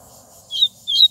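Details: Two quick, bright whistled notes from a double-collared seedeater singing strongly in the bush, high-pitched and evenly spaced, over a quiet low background hum.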